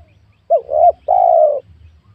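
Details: Spotted dove among small oil palms on newly worked land, recorded during luring of wild doves: one phrase, a short hooked hoot rising into a wavering note, then a long level mellow coo.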